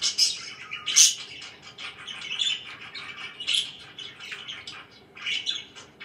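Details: Pet budgies in the morning giving scattered chirps and a couple of sharp high squawks early on, then softer, sparser chatter.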